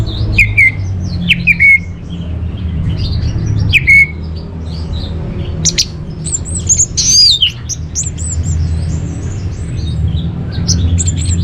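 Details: Caged-bird master song of an orange-headed thrush: several short whistles with rasping starts, then higher, faster looping whistles and trills, steady low hum throughout.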